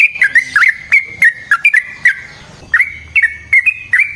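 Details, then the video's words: Lively sooty-headed bulbul song, long and rapid, described as a clear-voiced lure to make other bulbuls answer. Short bubbly whistled notes, each dipping then rising, come in quick succession with brief pauses. "Burung TRUCUKAN GACOR Ropel Panjang Cocok untuk PANCINGAN Trucuk bahan dan MASTERAN Burung Trucukan"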